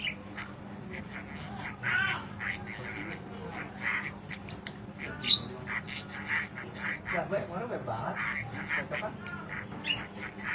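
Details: Budgerigar chirping at length, played as tutoring audio: continuous soft chatter of short chirps and buzzy notes, a single sharp high squeak partway, low mechanical hum throughout.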